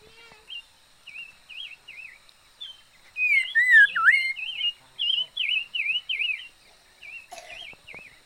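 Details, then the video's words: Decoy liocichla in song, a string of short wavering whistled notes, several strong swooping whistles near the middle, then softer repeated wavy notes trailing off. "Chim mi lửa mồi hót hay"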